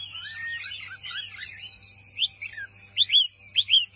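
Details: Brief burst from a wambi mini white-eye: a tumble of high sweeping notes, followed by three or four separate bright chirps that rise then drop. A faint hum is present.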